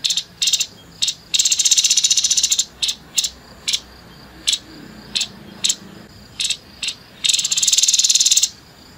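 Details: Choppy series of short, dry buzzy notes from a grey-headed babbler singing the rough 'nembak kasar' way, roughly two per second, framed by two longer grating rattles.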